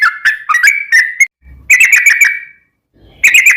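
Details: Yellow-vented bulbul giving 'gacor' lure song to make other bulbuls sing. Bursts of rapid liquid chirps and whistles are separated by short silent gaps, with a faint low thump in one pause.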